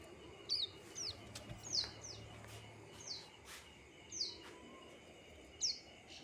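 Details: A plain prinia gives thin, high notes that drop in pitch, spaced about a second apart, against a quiet background with a few faint clicks.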